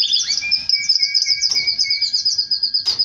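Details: Canary singing while mating with its female: rapid repeated high trilled notes, about three per second run together, over a steady lower whistled tone, with a brief broadband click near the end.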